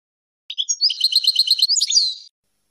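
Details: European goldfinch song for teaching young birds and hybrids: a short whistled lead-in followed by a rapid, even rattling trill of repeated pulses, ending in a downward slurred note.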